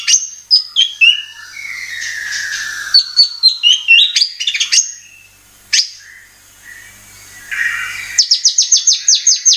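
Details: Murai batu (white-rumped shama) lure song for triggering singing: mixed whistles and chattering notes, a long descending buzzy slur, then a fast even run of high repeated chips near the end, with abrupt breaks between phrases.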